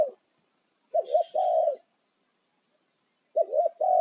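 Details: Spotted dove in the wild, calling its companions and holding territory; soft low coos with one full phrase, a stuttering double note then a long level coo, plus fragments of further phrases at both ends.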